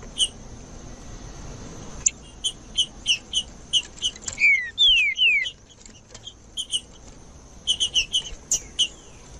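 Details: Green-winged saltator singing in the woods, played to warm up captive birds: groups of short, bright chips separated by pauses, with a middle run of three or four downward-sliding whistles.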